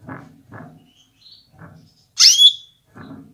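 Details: A female canary gives one bright, high chirp that sweeps down at the end, a call used to stimulate males to get ready and sing; soft low knocks and bumps come before and after.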